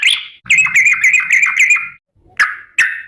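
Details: Sooty-headed bulbul calling to companions; one chirp, then a rapid run of about six bubbly warbled notes, then two separate sharp chirps after a pause.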